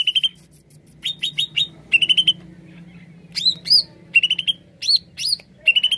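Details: Greater green leafbird singing actively as a lure for wild birds, with dense phrases of piping trills and rising swoops, a pause near the middle, then renewed bright whistles over a faint low hum.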